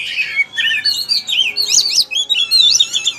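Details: Kacer, the white-rumped shama, in continuous rich song: rippling warbled phrases sliding up and down, mixing bright whistles with rapid twittering, no break across the whole passage.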